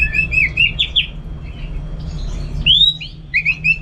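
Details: Orange-headed thrush singing at home in Singaraja, North Bali, ahead of contests: bright slurred whistles in quick succession, a pause, then a strong rising whistle and a run of short chirps.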